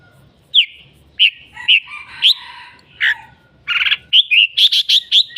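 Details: Red-whiskered bulbul calling and singing a lot: short bright whistled notes, some falling, sounded singly across the first half, then a burst of quick buzzy phrases and a fast run of rising chirps toward the end.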